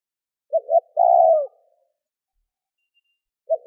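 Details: Spotted dove calling to rouse wild doves: two quick low hoots followed by one drawn-out, gently descending coo, then silence until another pair of short hoots begins; quiet surroundings.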